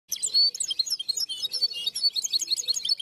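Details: European goldfinch singing a clean song: fast, bright twittering of high tinkling notes and short trills, densely packed without pause over three seconds, no other clear sounds.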